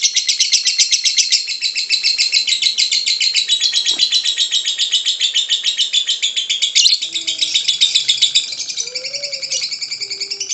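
A lovebird delivers a long, unbroken chattering song of rapid, shrill, buzzy notes.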